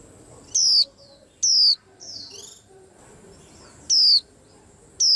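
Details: White-eye: four loud, high, sharply downslurred whistled notes about one to two seconds apart, with faint softer twittering notes from other birds between them.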